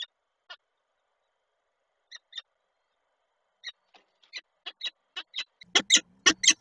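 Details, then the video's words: Female peregrine falcon at the nest calling the male, Koszalin, 5 August 2023: sparse harsh notes at first, then a quickening run of grating calls growing louder, ending in loud close calls. "Nila z wizytą, samca woła"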